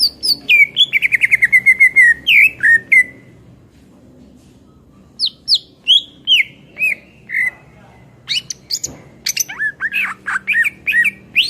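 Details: Energetic greater green leafbird singing as a tutor song for training songbirds: a fast rattle of sharp whistled notes, a long pause, then varied downslurred whistles and a busy closing burst of chirps.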